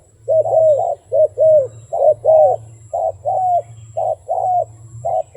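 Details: Wild dove calling steadily: mellow, slightly wavering coos in short groups, some notes longer and descending, repeated about once a second with a quiet low drone behind.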